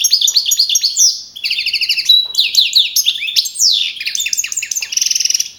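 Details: Young male campero goldfinch, champion of a 2012 singing contest near Madrid with 42 points: an unbroken, dense, high twittering song mixing buzzy trills, quick descending slurs and liquid chirps.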